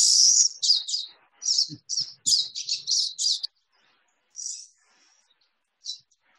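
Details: Pine siskin, one of a pair visiting a home feeder each morning for about six weeks, gives a run of high, wheezy, buzzy notes in quick bursts, about three a second, then a rising buzz; a faint voice murmurs underneath.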